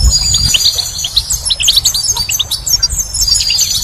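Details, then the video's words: Spring goldfinch singing a bright, fast run of high twittering notes and short silvery trills, almost without pause, with a faint low hum underneath. "Goldfinch's Song"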